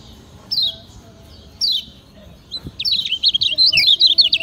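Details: Master song of a Lombok kecial kuning, meant for teaching other birds: two separate high descending whistles about a second apart, then a quick burst of jumbled, looping high notes in fast succession.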